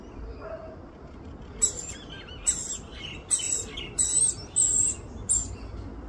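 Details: Rainbow lorikeet feeding her chick in Australia; after a quiet opening, a series of six rough, shrill rasping calls starts and repeats irregularly, growing louder toward the middle.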